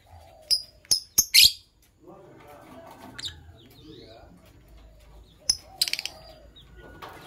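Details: Morning chirping from a green Fischer's lovebird couple, with a quick run of four shrill, high chirps, a quieter stretch of low background sound, then another burst of sharp chirps near the end.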